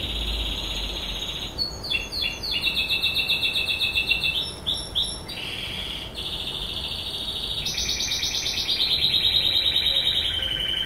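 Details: A white dominant canary, described by its owner as happy, sings a long, continuous run of bright warbled notes and rapid trills, shifting pitch between phrases, with a rolling buzzy trill near the end; Belgian canary.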